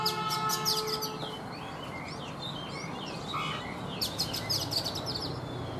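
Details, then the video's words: Oriental magpie-robin, an old wild-caught bird caged three seasons, in morning song: dense bursts of high chirps and trills at the start and end, softer twittering between, over faint steady tones and low background noise. "Chòe Than già rừng - 3 mùa lồng hót buổi sáng"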